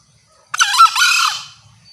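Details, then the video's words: Loud, clear call of a female green junglefowl summoning males. A single raspy, bright burst splits into a short first syllable and a drawn-out second one that tails away, with near silence before and after. "Masteran Ayam Hutan Hijau.. Kokok nyaring dan jerniih.. the sound of green jungle fowl.."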